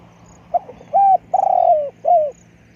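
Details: Spotted dove lure call, big-voiced: short soft coos lead into a long wavering hoot and a final falling coo, with a faint steady hum behind.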